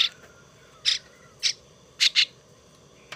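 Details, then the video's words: A young starling, a gift now being hand-tamed and cared for, gives harsh, hissing rasps in short bursts about half a second apart, with a double note near the end, over a quiet background. "Sáo đá"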